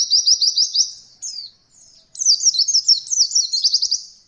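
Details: Song of an Oriental white-eye, recorded as training material for novice birds learning a roll: rapid high repeated notes in a quick trill, a brief pause with faint notes, then a longer, more varied twittering run.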